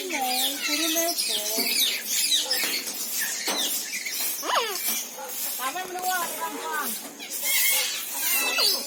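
An Eclectus parrot gives a run of squeaky, chattering calls: quick rising and falling notes, some nasal and speech-like, with little pause between them.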